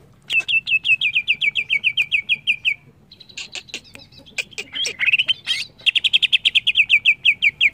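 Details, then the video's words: Greater green leafbird singing, a recording meant to coax untrained birds into song: long runs of fast repeated chipping notes, a brief jumble of harsh buzzy sounds, then another quick rattling series. "Suara burung CUCAK IJO ini cocok buat terapi bahan agar cepat gacor"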